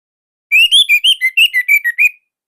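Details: ,Orange-headed thrush, a captive songbird kept by Indonesian bird hobbyists, singing nonstop in a unique, tight and loud style: a quick run of ten clear whistled notes near the same pitch, each slightly rising or falling, lasting under two seconds.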